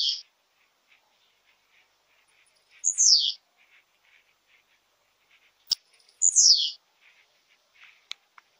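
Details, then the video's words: Song type of the blue-black grassquit: brief high buzzy downslurred phrases repeated roughly every three seconds, three in all, with faint scattered ticks and clicks in the quiet background. "TIPOS DE CANTO DE TIZIU"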